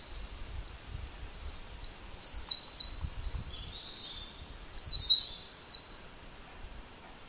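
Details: An adult Eurasian wren, apparently nesting nearby and busily carrying food, sings from a favourite perch: a loud, rapid song of high trills and sharp twittering notes running unbroken for several seconds, faint low rumble beneath.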